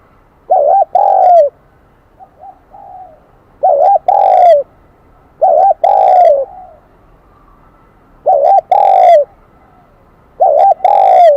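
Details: A wild-caught spotted dove with the Kim Đồng voice style coos steadily, five ringing phrases spaced roughly every two to three seconds, each a short double coo and a longer falling note.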